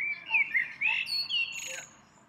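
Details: Spring song of one small bird on a tree it returns to daily: lively, winding high whistled phrases, chirpy notes swooping up and down in rapid succession, ending in a brief higher flourish.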